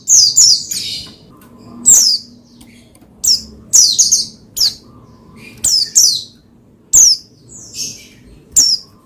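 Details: Oriental white-eye, pleci, used to stimulate another pleci to sing: sharp, high squeaky chirps and short descending twittered phrases repeated in irregular bursts, over a faint low indoor hum.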